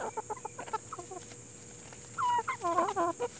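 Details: Chickens of the Plymouth Rock and Hamburg breeds: a run of quick, soft clucks, then louder, drawn-out harmonic calls that rise and fall, overlapping near the end, over a steady high hiss and faint hum.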